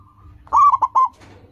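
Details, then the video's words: Loud cooing phrase of a local zebra dove, the kind of song used to coax caged doves into singing: one long rolling coo followed by two short, abrupt coos in quick succession, with a faint low hum behind. "Perkutut lokal gacor, suara seperti ini bagus sekali untuk melatih burung perkutut cepat bunyi."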